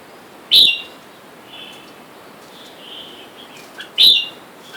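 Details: Red-whiskered bulbuls, a caged wild-caught pair, with wild birds outside calling for a mate. Two short, sharp whistled notes come about three and a half seconds apart. Faint distant chirps are heard between them.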